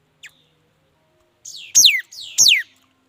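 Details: Mi dat bird singing: after a tiny high tick, two loud sweeping whistles arrive about half a second apart. Each slides steeply down from very high to mid pitch and is followed by a fainter trailing note. Quiet background otherwise.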